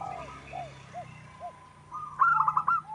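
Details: Wild local zebra dove song used to lure other birds: soft, low arched coos spaced about half a second apart, then a loud burst of quick rolling coo notes at the end.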